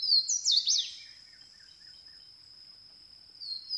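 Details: A brief burst of Swainson's warbler song: rapid, loud, swept whistled notes in the first second, then only a continuous high insect buzz and faint later bird notes.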